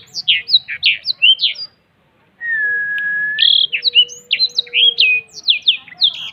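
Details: Black-throated canary singing in the cetekan style while opening its wings: quick bright chirping phrases of short sliding notes, broken by a brief silence, then a long steady whistle before the lively chirps resume. A faint low hum runs underneath.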